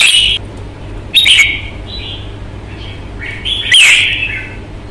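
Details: Caged red-whiskered bulbul in fighting display with a strong voice: a series of loud, rich whistled phrases with quick slurred notes, one opening, one after a second, softer ones between, and a loud final burst, over faint low hum.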